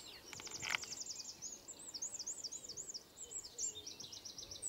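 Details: A Eurasian wren giving a run of high, rapid looping notes and trills, heard somewhat distant over steady background noise, with a brief clatter near the start.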